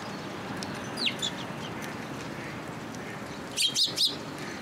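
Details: Sparrows coming to a bridge at a Tenmangu shrine to be fed, 9 October 2022: a brief high chirp near the start, then a quick burst of three bright, sharp chirps near the end over steady outdoor hiss.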